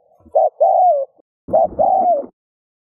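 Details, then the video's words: Spotted dove giving its coo, intended to prompt other doves to coo: two phrases of a short hollow note then a long falling coo, the second accompanied by a faint low rumble. "Tiếng cu gáy RÚT BỔI hiệu quả , Chim cu rút bổi bài bản.chim cu gáy . cu gáy thúc gù kích bổi"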